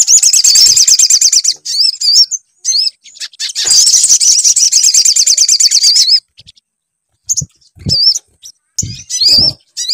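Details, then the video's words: Sunbird lure song intended to make a bird sing: two long runs of piercing, quickly pulsed trills, followed by repeated upslurred whistled chirps between silences and a few dull taps. "PANCINGAN SUARA SOGON AGAR BUNYI"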